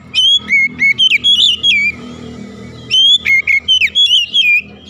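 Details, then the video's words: In the morning, an oriental magpie-robin sings two loud bursts of rich whistled notes, each sliding up and down in quick succession, over a steady low background hum. "OCEHAN KACER DI PAGI HARI"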